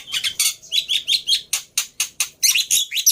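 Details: Lure song of the black-winged myna for coaxing a silent bird to sing: a rhythmic series of loud, harsh squawks and creaky chirps, about three or four notes per second, with short whistled squeaks between.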